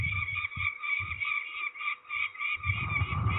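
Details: Peregrine falcons being ringed at Trzebież, Poland, 13 May 2019, call in a fast, grating series of harsh notes, with bumping and handling sounds at the start and end.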